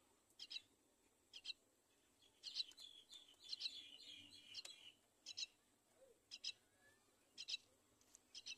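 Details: Myna mother leading her baby to the nest side: short grating double chirps about once a second, with a longer, smeared squealing passage in the middle, against low background hiss.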